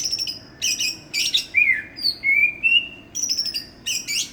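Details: Loud song from a Banyuwangi, East Java Greater green leafbird known as a village champion: high rattling trills, chattering bursts, then smooth slurred whistles that dip and climb before more high trills.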